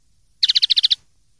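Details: Short fragment of common linnet clean song, the pardillo limpio style for silvestrismo, 2023/2024: eight rapid, evenly spaced ringing pulses in half a second, high and bright, over near silence.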